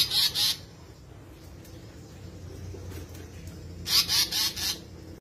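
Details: Asian paradise flycatcher (tali pocong or seriwang) calling in two bursts of grating, buzzy notes, a pair at the start and a run of four after a few seconds of quiet.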